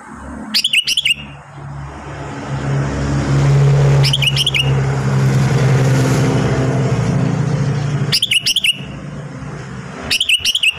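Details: Sooty-headed bulbul kept at home during its moult season, giving short bright chirping phrases with sharp downslurs roughly every two to four seconds, four bursts in all, over a loud steady rumble of passing vehicles.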